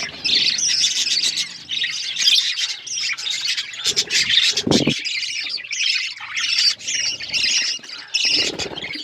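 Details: Pet budgerigars chirping together in a dense, nonstop chatter of high squawks, warbles and scratchy notes, with a few brief lower thumps.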